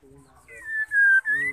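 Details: Female white-rumped shama giving a call said to stimulate males to sing: two or three long clear steady whistles with a low hum beneath.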